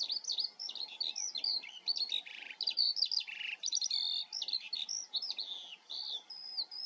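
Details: Eurasian skylark from the Eifel, Germany, giving a dense, unbroken warble of jumbled chirps, trills and buzzy notes across nearly seven seconds.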